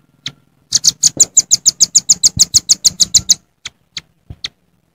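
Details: A wild velvet-fronted nuthatch calls out to rivals with jontrot notes: an opening chip, a rapid string of around eighteen high, piercing notes, then several well-spaced single chips.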